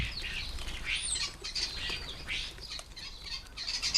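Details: Common starlings feeding at a garden bird table at lunchtime, giving a continuous stream of harsh, rasping chatter with overlapping noisy bursts and wingbeat flutters throughout.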